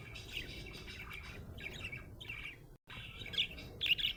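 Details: Happy budgie chirping: bursts of fast, scratchy warbled chatter broken by a brief silence, then louder bright squeaks toward the end.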